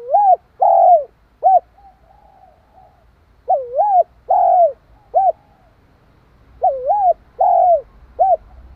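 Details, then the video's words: Spotted dove cooing quickly to provoke and stimulate a wild dove: three repeated phrases, each a double-humped coo, a longer sliding coo and a short clipped final coo, with brief silences between phrases and faint low rumble behind. "Tiếng chim cu gáy kích bổi, tiếng gáy nghe ức chế."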